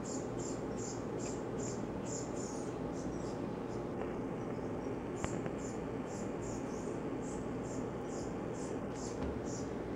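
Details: Brown-headed Cowbird fledgling sitting on a yard bird feeder gives frantic, thin, high begging chips about twice a second while a chickadee feeds it, over a steady low rumble and a faint held tone.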